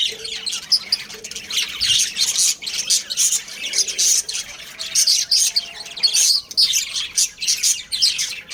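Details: Breeding pair of pet budgerigars chirping at home: a busy stream of high, scratchy chirps and warbles comes in bursts, with short pauses between phrases and a faint low hum.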